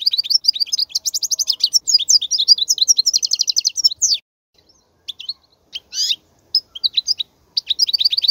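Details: Wild-type European goldfinch song for tutoring young goldfinches: extended fast twittering and trilled phrases for four seconds, then scattered chirps and a renewed twittering run.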